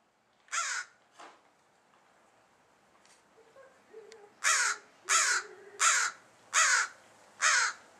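A crow gives harsh, hoarse caws: two early ones, a pause, then a run of five loud caws about every two-thirds of a second.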